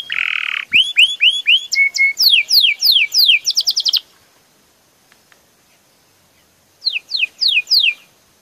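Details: Belgian canary singing: a rapid run of high, clear rising sweeps and liquid rolled notes repeated several times a second for four seconds, a pause of near silence, then another short burst of rising whistled sweeps.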